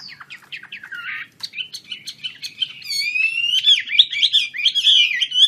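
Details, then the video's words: Chinese hwamei sings a loud, rich run of varied whistles and slurred rising and falling notes, growing fuller and more fluid toward the end, while spreading its wings. "KICAU HWAMEI WAMBI KEMBANG GACOR"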